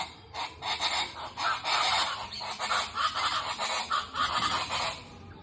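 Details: Guacharacas (chachalacas) in the Colombian countryside calling at dawn, the farmers' natural alarm clock: a loud, harsh, raucous chorus of grating bursts in rapid, overlapping rhythmic phrases, several per second, rising and falling in intensity.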